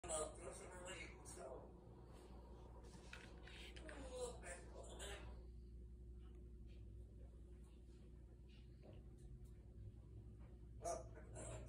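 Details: A pet African grey parrot imitates human speech, possibly saying "better call it a night", in a few short word-like bursts separated by pauses, over a steady low indoor hum.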